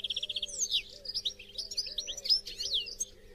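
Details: Song of a European goldfinch meant to prompt captive goldfinches to sing: opens with a quick even trill of about eight notes, then liquid twittering and slurred chirps, over a steady low electrical hum.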